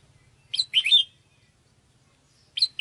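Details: Sooty-headed bulbul calling to lure birds: a bubbly phrase of a few quick notes, then another phrase beginning after a pause of over a second.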